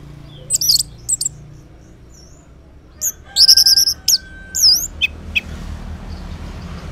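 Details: Orange-headed thrush in the morning, its song a lure so silent males answer; scattered high notes lead into a fast trilled phrase and looping whistles, with light background hiss.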